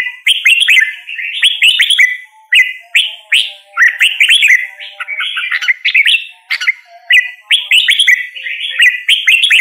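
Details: Lively red-whiskered bulbul song, a near-continuous string of bright, bouncy whistled phrases, each a quick rise and fall, repeated every second or two, with a soft low whistle faintly behind.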